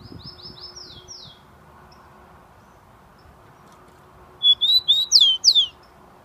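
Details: Rufous-collared sparrow, a breeder's bird from São Paulo, Brazil, filmed on 27 September 2015 in full song: a quick series of short descending whistles, a pause of about three seconds, then loud swooping whistled notes ending the phrase.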